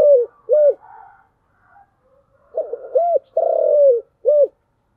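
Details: Spotted dove delivering thổ-voice chiêu gù coos: two closing hoots of one phrase, a pause, then a full phrase of a stuttered note, a rounded coo, a long slightly falling coo and a final short hoot.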